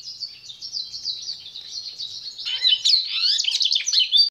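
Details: High, thin twittering from a pintagol (goldfinch crossed with canary), continuous and rapid, growing louder and more varied halfway through with swooping notes and chattering bursts.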